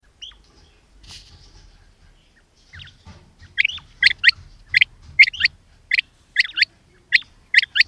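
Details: Common quail calling: after a few faint sounds, sharp high double and triple notes repeat in quick pairs for the last four seconds, nearly once a second, over a low background rumble.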